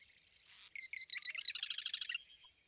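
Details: Marsh Wren song, more bubbly than the staccato Sedge Wren: a buzzy opening note, then a fast, bubbly, gurgling rattle of high notes, about ten per second, ending in under two seconds.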